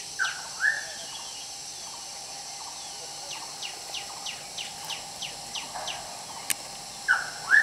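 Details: Puff-throated or spotted babblers tending and feeding a hungry baby: two louder slurred chirps open and close the recording, with a run of faint, quick, descending high chirps between them and a constant insect drone behind.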